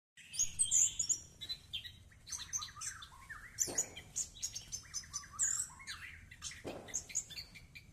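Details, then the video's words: An orange-headed thrush taking a morning bath sings a rich, varied, almost continuous run of high sweet whistles and fast chattering phrases, with splashing water in the background. "Ngintip Anis lagi mandi, segerrrrr"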